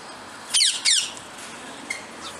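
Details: Two loud, grating squawks in quick succession from a twenty-eight parrot (Barnardius zonarius semitorquatus), each with stacked harsh overtones, followed by a faint short note.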